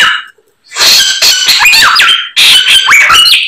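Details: Loud white-rumped shama song packed with learned phrases: after a short opening phrase and a brief silence, rich bursts of chattering notes return, cut through by clear whistled upward sweeps.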